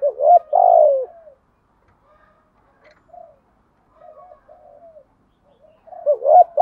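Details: Decoy cooing of spotted doves, cock and hen, meant to provoke birds to call: a loud hollow coo with a falling tail, a long pause of faint murmurs, then another rising coo begins.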